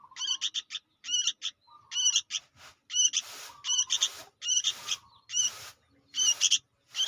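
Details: Rough chattering from a young sooty-headed bulbul meant for luring: rasping multi-note bursts roughly every second, some followed by brief lower whines, with light hissy noise between calls.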